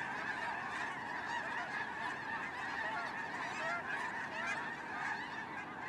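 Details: A huge migrating snow goose flock seen from a drone, its calls blending into a constant din of overlapping honks, a few higher yelps rising above the mass.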